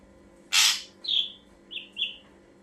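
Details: Ashy drongo song as a bird lure: one loud harsh rasp, then a falling whistled note and two shorter paired whistles.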